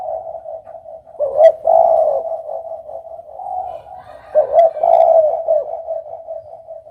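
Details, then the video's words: Low, mellow Spotted dove coos: two phrases about three seconds apart, each opening with a rough stuttered note and swelling into a longer rolling coo, with quieter cooing continuing between them. "suara burung derkuku"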